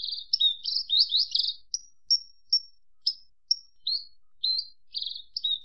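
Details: Javan bush lark giving a tangle of scratchy high notes, followed by spaced clear whistled chips and short slurred phrases.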